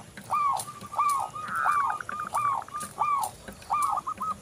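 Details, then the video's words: Local zebra dove song used as a lure for singing doves: rapid, overlapping rising coos and short stuttered notes repeated about twice a second, with a noisy, hissy background. "Perkutut lokal Gacor"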